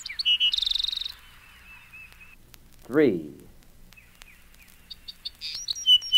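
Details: Bewick's Wren song from a collection of eastern North American bird recordings: a few high chips, then a fast buzzy trill and thin whistled notes, with a man's brief spoken word midway and more sharp high notes at the end.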